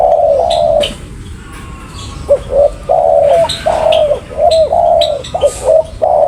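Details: Spotted dove calling steadily, a run of low mellow coos in short and longer notes, joined by faint high chirps of other small birds.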